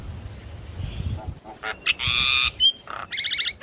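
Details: Javan myna singing as a trigger for silent birds: scattered rasps, a long harsh grating squawk, a sharp whistle and a final burst of buzzy stuttered notes.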